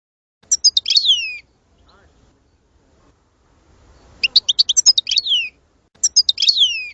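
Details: European goldfinch song played to stimulate singing: three bursts of bright, high twittering, each phrase a quick run of sharp notes sliding downward, separated by about two seconds of near silence.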